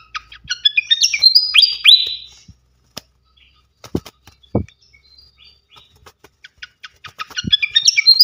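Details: Flycatcher tutor recording for training songbirds: quick chirps leading into loud up-slurred whistles, a quiet stretch with a few knocks, then a fresh flurry of rapid chirps and whistles.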